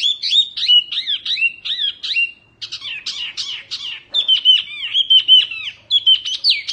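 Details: Spirited song from a mini wambi Oriental white-eye, recorded for training other birds: quick high slurred chirps in bursts, some harsher chattering, then rapid clear whistles.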